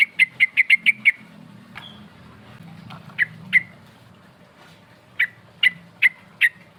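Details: Sooty-headed bulbul lure song to call rivals: a quick series of about six sharp chips, then widely spaced single chips and a later run of four evenly spaced notes.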